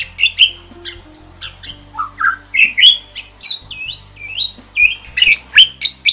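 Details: Starling delivering vigorous, varied song as a training tutor: rapid squawks, chirps and swooping whistles, roughly four notes a second, pitch jumping widely.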